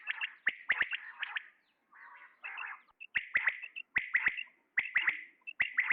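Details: Male common quail giving its call: bright, sharp notes in fast pairs and triplets, with a softer grating phrase between bursts, repeated roughly every second.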